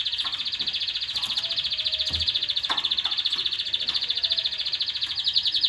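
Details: Canary singing to stimulate mating and excite females, a long fast rapid trill of rattling notes held steady and high throughout, with faint clicks beneath.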